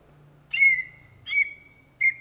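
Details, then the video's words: Greater green leafbird (Chloropsis sonnerati), known in Indonesia as cucak ijo, gives three loud whistled notes with bright overtones, each followed by a steady ringing tone that carries between them. A faint low hum sits underneath. "SUARA BURUNG CUCAK IJO GACOR"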